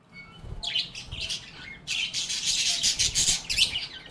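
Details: Happy budgerigars singing and chirping together: a dense, bright chatter of rapid high chirps that starts sparse, then runs almost without pause in the second half.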